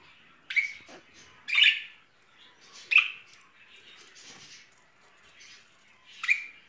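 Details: Budgerigars, a pet pair courting in spring, give short harsh squawking chirps at irregular intervals, about four sharp bursts with quieter chatter between.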